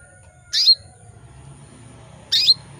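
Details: Female canary in breeding condition calling males: two loud, bright chirps, each dropping quickly in pitch, under two seconds apart, with a quiet low rumble behind.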